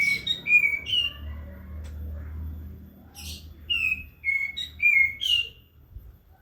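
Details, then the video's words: Prinia in full song, giving crisp descending whistled notes in two phrases of three to four notes, the second phrase faster and louder, against a faint low drone. "Katem gacor besetan di ahir"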